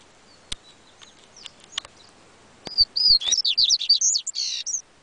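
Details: Scattered clicks and taps come before a yellow-bellied seedeater bursts into a quick series of high, twisting whistled notes that ends in a rougher, buzzy flourish.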